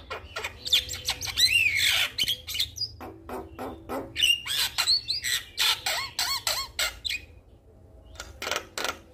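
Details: Energetic male Javan myna calling a female, a lure for reluctant birds: dense rasping bursts and buzzy slurred whistles in irregular quick series, tapering into scattered clicks near the end.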